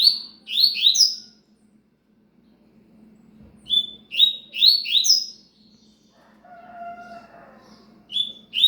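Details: Cigano song of the Double-collared seedeater: two dense phrases of ringing downslurred notes separated by silence, the second ending a pause before a faint tonal sound and another phrase begins, steady hum throughout.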